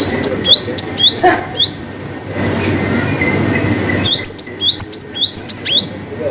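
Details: Cinereous tit delivering a varied long 'wucit' song, intended as a lure for quiet birds: two rapid bursts of thin, high, hooked whistles, about two per second, separated by a two-second gap of faint hum.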